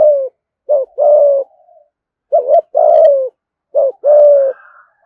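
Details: Spotted dove serving as a lure, cooing in the thổ voice, full song: three phrases, each a short low note then a longer husky coo, spaced roughly every one and a half seconds, with soft trailing murmurs.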